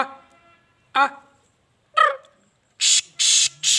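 Three harsh, grating notes from a black francolin, about one second apart, followed by a few loud bursts of hissing noise.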